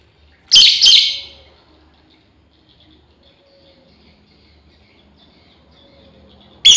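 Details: Two quick, harsh, high-pitched chirps from a female lovebird summoning its companions, then several seconds of quiet before a third shrill note begins at the very end.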